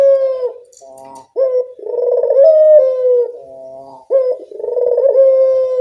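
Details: Barbary dove calling in the evening, used as a lure for doves: low, throaty, drawn-out cooing with rolling, slightly rising phrases broken by short pauses.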